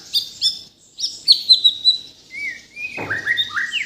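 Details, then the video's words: White-rumped shama from Borneo, Kalimantan, in full varied song: bright whistled phrases near the top range, then lower slurred rising whistles, with sharp chirps between short pauses. "MURAI BATU BORNEO GACOR FULL ISIAN || AMAZING BIRD CHIRPING MURAI BATU"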